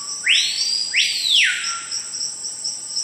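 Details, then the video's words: Screaming piha (capitão-do-mato) of the Brazilian forest, said to call as an alarm at intruders: a brief low whistle followed by two powerful rising-falling whistles, with a pulsing high insect chorus behind. "Som do passáro capitão do mato"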